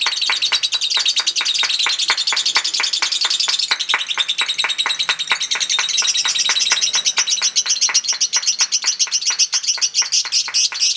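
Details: Lovebird in a singing battle giving long ngekek chatter: a rapid, unbroken stream of sharp high chirps, about four a second, holding steady for the full eleven seconds, with a slightly denser patch past the midpoint.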